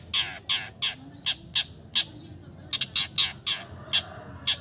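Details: Long-tailed shrike giving loud, harsh, rasping notes in an irregular series, singly or in quick pairs, with faint background hiss. The song is described as mimicking many kinds of birds.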